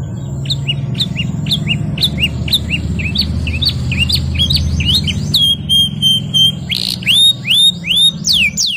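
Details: Canary song, 'gacor ngerol nembak' style: quick repeated chirps in steady rhythm, then a long sustained high note and loud curving whistles against a low background hum.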